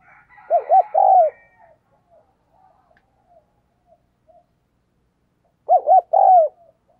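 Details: Decoy spotted dove giving its provoking coo to draw wild doves: two clear phrases several seconds apart, each two short hollow notes and a longer falling coo, with faint soft calls in between.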